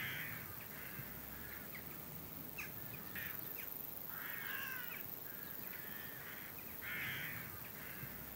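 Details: Western jackdaws in a flock ahead of a storm, giving scratchy, ringing calls in irregular bursts with pauses between them, several birds overlapping at times, against a constant hiss of wind.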